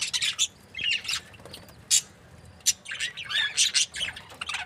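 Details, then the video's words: Happy breeding pair of budgerigars chirping: harsh, scratchy squawks and short chirps in irregular bursts, mixed with buzzy warbling. Steady faint hiss underneath. "Happy budgie chirping sounds 🦜| breeding pair"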